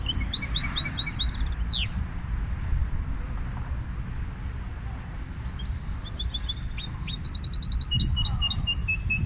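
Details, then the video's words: Goldfinch hybrid singing rapid, high repeated whistled notes that end in a downward slide, then falls quiet before starting a new run of chirpy phrases, over low background rumble. "هجين الحسون Mixto del Jilguero"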